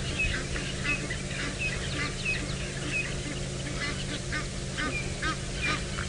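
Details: Several Egyptian geese call on the dam banks at Djuma Game Reserve, Sabi Sand, South Africa, during a 5 PM sunset drive on 4 September 2017. They honk and cackle in a busy overlapping chorus of harsh, repeated calls over a steady low engine hum.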